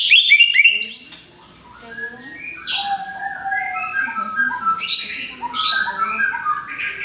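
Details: Moult-recovery therapy song of an orange-headed thrush: a dense, varied run of quick whistled notes, chirps and high sweeping phrases, with a brief lull early on and steady low whistles layered through the rest.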